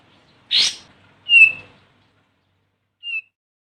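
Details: Olive-winged bulbul calling to draw a rival: one harsh scratchy burst, then a clear whistled note sliding slightly down, and a softer, shorter whistle after a pause of over a second.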